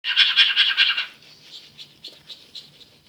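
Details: Male cockatiel imitating the sound of teeth brushing: a rapid, raspy scrubbing chatter of repeated harsh strokes, loud at first, then softer and broken into short bursts.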